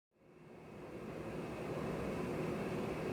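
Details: Hum of air conditioning or machinery rises out of silence and holds steady, with no animal voice.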